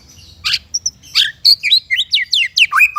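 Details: Shama song with a harsh, noisy opening note, short pure whistles, then a quick series of clear, downward-sweeping whistled notes that grows steadily more fluid.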